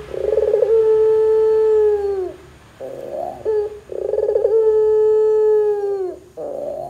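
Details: Barbary dove in full voice, used to get other doves calling back. Two long mellow coos, each opening with a quick rolling flutter and sliding down at the close, separated by a short burred note.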